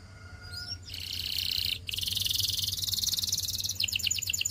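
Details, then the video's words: Canary singing practice for training: a few thin high whistles, then sustained buzzy trills and a fast rattling roll of rapid repeated notes ending in bright pulsed phrases, over a faint low hum. "Canary Singing Practice Video"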